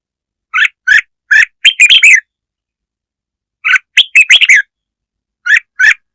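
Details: Lure song of a red-whiskered bulbul, meant to provoke rival birds. Clipped, bubbly notes come in three bursts, two to seven notes each, over a clean, silent background.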